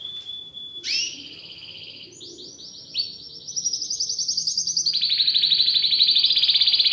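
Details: Domestic canary, a newly acquired house bird, singing loudly along with played training song: a high whistled note, a bright upswept call, then rolling trills that rise and grow louder into a fast pulsing finish.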